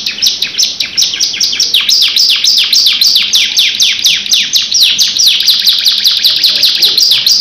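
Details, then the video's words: Canary in full long rolling song, a dense, unbroken series of bright, high notes sweeping downward in quick, even succession. "KENARI GACOR NGEROL NEMBAK DURASI PANJANG | CANARY SINGING"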